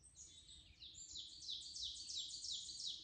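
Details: Birds singing: rapid, very high chirps and twittering notes repeated about three times per second over a soft background hiss.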